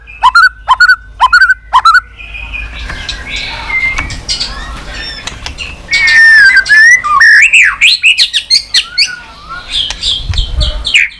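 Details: White-rumped shama 'tạch' song meant to rouse birds: four sharp falling whistles at the start, then a soft murmur and a rush of varied, wavering whistled notes growing louder.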